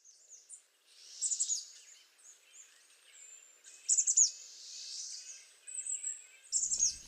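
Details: A Chestnut-backed chickadee calls (the species has no song): high, hoarse, buzzy chatter in three short bursts, with thin faint notes between.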